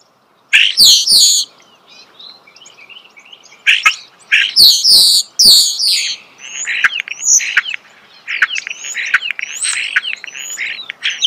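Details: Starling singing loudly and close in a natural setting: harsh rattling bursts and sharp clicks, then a long stretch of fast squeaky chatter and whistles.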